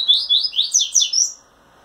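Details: Male double-collared seedeater in a cage, wing-trembling as it sings to a female: a fast burst of about six bright, swooping high notes, then silence.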